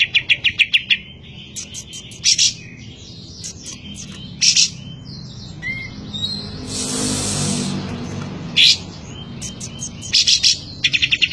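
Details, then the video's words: Cotton bird singing vigorously: bursts of sharp, high chirps in quick runs, separated by pauses, with a short whistled note and a passing vehicle's rushing noise midway. "suara burung kapas tembak gacor"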